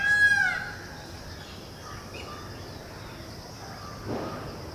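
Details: Indian house crow, known locally as Kauwa, at its nest tending and feeding chicks: a single loud, harsh, harmonic-rich caw in the first half second, followed by a steady low background hum and faint distant bird notes.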